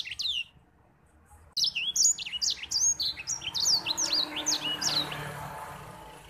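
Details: White-rumped seedeater (grey singing finch) song: a fast, sweet canary-like run of high slurred whistles, rising and falling, after a few opening notes and a brief pause.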